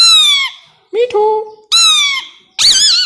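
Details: A tame 3-year-old male plum-headed parakeet mimicking speech in Urdu/Hindi: four squeaky, nasal, word-like phrases about a second apart, the last one warbling, in a small quiet room.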